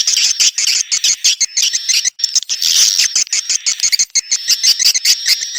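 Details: Swiftlet calls, rapid high chirps repeated about three times a second in choppy pulses, with a thin steady whistle tone underneath.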